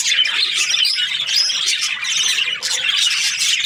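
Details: Chattering budgies, Australian parrots, in a busy flock: overlapping scratchy chirps and short whistled notes run together without a break, bright and high-pitched.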